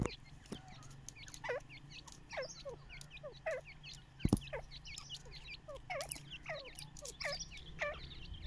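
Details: Baby chicks basking in the sun, giving a steady stream of short, sharply falling peeps from several birds at once, irregularly spaced, over a low background hum and one brief thump.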